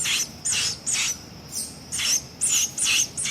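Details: Young Sayaca tanager raised by hand: short rasping, hissy calls, high and harsh, come in quick succession, roughly two per second, with a few thin whistled edges, over a quiet background.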